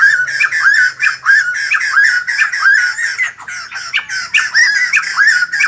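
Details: Rhythmic, rasping laughter from a white-crested laughingthrush that sings while dancing, like a ballet dancer: short harsh notes with upward flicks, repeated steadily across the whole stretch.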